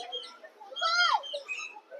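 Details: At Alipore Zoo, Kolkata, caged parakeets call overhead while trying to get out. A parakeet gives a loud, harsh, downward-sliding screech amid softer chirps from other birds.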